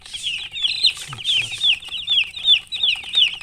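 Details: Loud, close chick chirping beside a hen: clear high downslurred peeps repeated nearly three per second, with a brief soft low cluck near the one-second mark.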